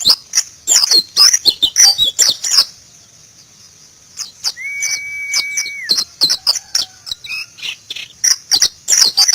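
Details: White-eye (Zosterops) in the wild gives rapid high twittering phrases, then pauses while a steady flat whistle-like tone sounds, before dense chirping resumes.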